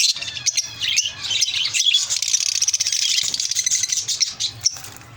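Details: Group of lovebirds chattering loudly, a steady stream of piercing high-pitched chirps and buzzy squeaks blending into one busy twitter that fades slightly toward the end.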